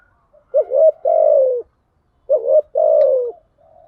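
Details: Spotted dove lure coos in the 'thúc gù, gáy gọi' style used to attract doves. Two phrases, each a short stuttering note followed by a longer, gently falling coo, about a second apart.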